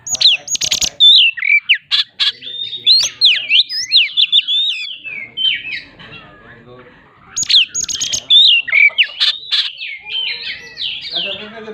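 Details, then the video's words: Oriental magpie-robin giving a rapid 'roll nembak' shooting-style song meant to provoke rivals: dense bursts of sharp whistles, chips and slurred notes, high and varied, in two long runs separated by a short quiet pause. "Suara Tembakan'nya bikin LAWAN Mbagong!!! KACER Roll Nembak"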